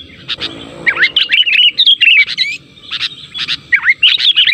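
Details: Lure call of sooty-headed bulbul, meant to make other bulbuls reply: a quick run of chirpy, bubbly notes and slurred whistles, a short break, then more rapid twittering notes with a dipping whistle.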